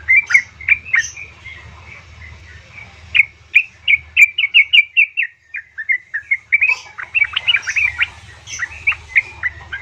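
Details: Calling female yellow-vented bulbul, meant to stir a male into answering: scattered chirps, then a run of evenly spaced sharp notes, a short gap and a busier jumble of warbled phrases, with faint low background hum.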